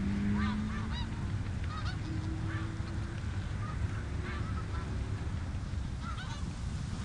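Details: Snow geese on the Richelieu River honk in quick, overlapping yelps, several voices calling at once, with a low rumble and a faint steady hum behind them.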